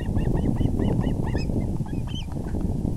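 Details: Osprey nest on April 6, 2020, at 6:30 pm EDT, as the male brings in a big fish: quick, evenly spaced arched whistled chirps, a few sharper high notes, steady low rumbling wind behind.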